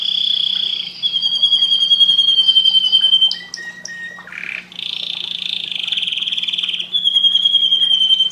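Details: Singing canary, its song meant to stimulate breeding: long sustained high whistles, some wavering, broken by short sharp notes and a brief lower buzz, then more drawn-out ringing tones over a faint constant hum.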